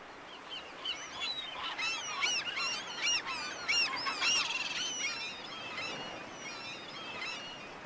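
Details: A noisy flock of black-headed gulls (Chroicocephalus ridibundus) gives harsh, nasal, rising-and-falling kree-ar calls, many overlapping, almost two per second, with a soft outdoor hiss underneath.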